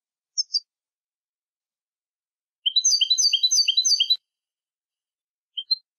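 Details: European goldfinch song used to train young goldfinches. A high double chirp is followed by a lively one-and-a-half-second run of rapid, tinkling twitters, then another short double chirp.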